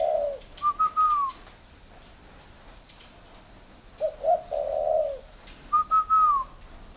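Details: Spotted dove kept cooing on request. It gives a low warbled coo, then a clear, higher, sliding note. Two such phrases come several seconds apart against a quiet background with faint clicks.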